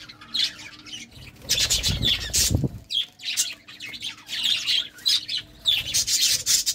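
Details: Pet budgerigars courting; bursts of high chirps and squawky warbling notes come in irregular runs separated by brief pauses, with a few low thumps.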